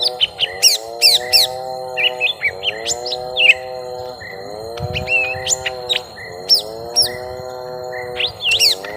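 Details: Fighting young lesser green leafbird: clusters of shrill, sharply dropping and rising notes alternate with short quiet gaps, while a loud humming drone cycles in the background.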